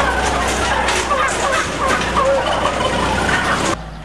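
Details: Intensively farmed turkeys recorded in 2010, a crowded chorus of short yelps and gobbling notes over constant low hum, cut off abruptly near the end, leaving only quiet background.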